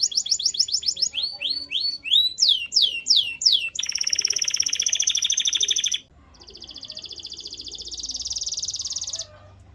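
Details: Canary singing varied phrases: repeated swooping whistles, then a dense buzzy trill, a short pause, and a softer rising rapid trill.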